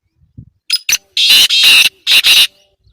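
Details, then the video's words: Black francolin giving its harsh call: two short sharp clicks lead into loud, broad, rasping buzzy notes in two paired bursts, each grating and strident, with brief silence between. "Kala Teetar ki Awaz | Black Partridge Voice"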